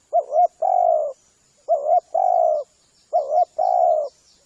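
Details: Cooing of a spotted dove used to lure the species. Three clear phrases each open with a short doubled note and end in a sustained purring coo, evenly spaced, with faint high chirps behind.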